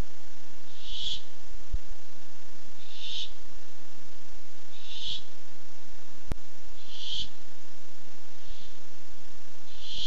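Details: A barn owl looking for food, 8-7-15 webcam: a run of six raspy hissing screeches, repeated roughly every two seconds, one sharp click midway, steady hum behind.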